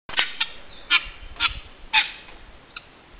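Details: Guineafowl giving harsh, clipped, metallic notes in an irregular series of about six bursts, the loudest near the middle, with faint low rumble behind.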